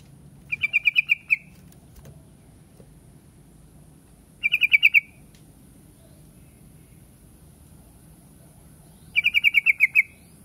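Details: Yellow-vented bulbul delivering three rapid strings of six to seven clear chirped notes, each phrase about four seconds apart, steady in pitch, with a faint continuous high hiss in the background.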